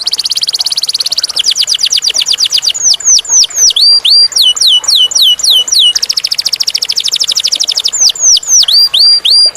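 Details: [5, 'yes', 'song', 'Canary song, loud and clear, built from rapid trilled runs of repeated notes, fast buzzy rolls, then rows of sharply falling whistled slurs, with the whole phrase sequence starting again midway; no other sounds.']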